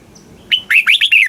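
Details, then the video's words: Caged red-whiskered bulbul song, played to stimulate caged birds in Thailand: one short whistled note followed by a quick run of four warbled, rising-falling notes, clear and loud against a quiet background. "เสียงนกกรงหัวจุก ร้อง ริก เปิดให้นกฟัง ยั่วให้นกคึกจัด"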